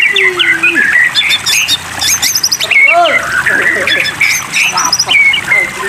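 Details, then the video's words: White-rumped shama singing on a water-therapy training track meant to prompt silent or contest birds to sing: varied whistles, sharp chips and arched slurred notes in quick succession over a steady hiss. "terapi air murai batu makin tambah gacor"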